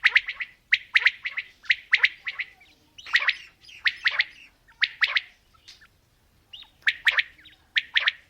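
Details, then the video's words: Quail (batair), female and male calling together: rapid bursts of sharp, clipped notes in quick clusters, repeated almost continuously with short gaps, in a quiet background. "Female Batair Calling | Male Batair Sounds | Mix Calling| Batair Ki Awaz | Batair Ki lambi Awazay"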